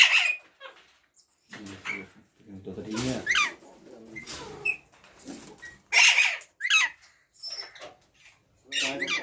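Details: Ringneck parrot indoors giving sharp, high squawks and squeaky sweeps in short bursts, with voice-like chatter between them and quiet pauses.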